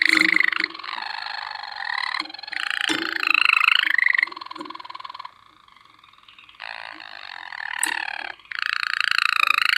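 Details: Water canary giving nearly continuous, bubbling, rolling song. Several sustained trill passages rise and fall in pitch, with a softer stretch in the middle and short breaks between phrases.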